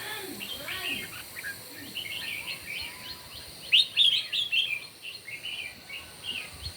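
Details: Red-whiskered bulbuls singing against each other in the morning, a lively run of rapid, bright, warbling chirps with the loudest phrase in the middle and softer notes around it.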